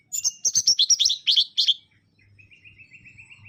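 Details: Mangrove whistler in fast, rich song: a tumbling series of loud, slightly harsh whistled notes sliding downward. It is followed by a soft, even trill of short repeated notes, with faint low background noise.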